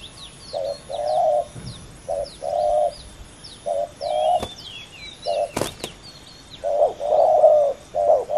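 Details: Male spotted doves competing fiercely in a ground decoy bout: soft, low cooing phrases, each a short note and then a longer drawn coo, repeat across the clip while thin high chirps of other birds and two sharp clicks sound.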